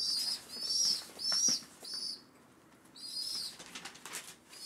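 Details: Hand-reared pigeon nestlings, a week after rescue, beg for their morning feed with shrill, wheezy squeaks in quick bursts. Soft rustling and wing sounds run between the calls.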